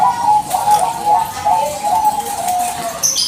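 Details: Bangkok-type zebra dove calling continuously to prompt a reply; run-together whistled notes forming a slightly wavering, trilled stream, ending with a short higher-pitched sound.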